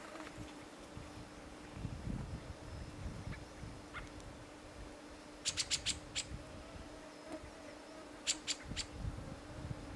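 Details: White gyrfalcon at a wild breeding nest in Siberia: a burst of four harsh, rapid, broadband notes, then three more shortly after, over a steady low hum and faint buzzing insects.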